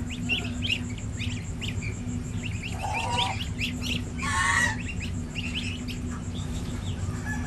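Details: Quick, high, upward-sliding peeps from a domestic gosling, six days old, on a village farm in India. Two short, louder honk-like bursts break in near the middle over a constant low electrical hum.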